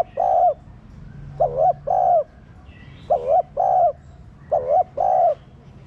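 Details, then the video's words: Spotted dove cooing to spur captive doves: repeated paired low hoots, a wavy short note then a longer steady one, four phrases in quick succession with a faint low hum underneath. "Cu gáy kích bổi nhanh nổi"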